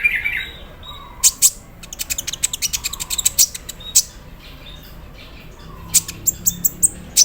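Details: Captive sunbird singing while being misted with water in the morning, its song filled with learned 'embroidery machine' phrases: rapid, very high sharp chips in stuttering bursts, with softer faint notes between them.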